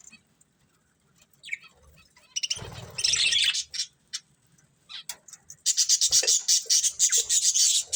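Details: Budgerigars chattering: scattered thin chirps, then a loud scratchy burst of warbling, ending in a rapid run of evenly spaced bright high chirps, close and clear.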